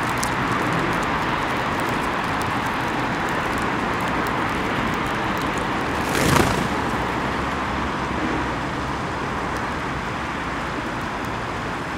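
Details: Steady roar of road traffic fills the whole recording, with a brief louder whoosh about midway and no animal voices heard.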